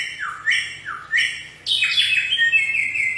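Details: In the wild, a bare-throated whistler (samyong) gives rich slurred whistles, two dipping then rising notes about half a second apart, then a louder sustained, buzzy-edged warble.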